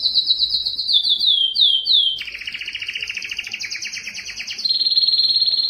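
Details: Yellow canary singing: rapid descending slurred notes near the top of its range, then a lower buzzy rolling trill and a steady high even trill to finish.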